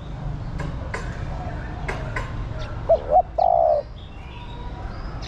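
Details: A caged female spotted dove urges on the male with one low coo phrase of two quick hooting notes and a held, slightly wavering croon. Scattered clicks and a soft background hiss are heard before it.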